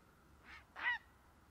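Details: Grey heron (Ardea cinerea) call: two harsh, hoarse croaks in quick succession, the second louder and longer, against a quiet background.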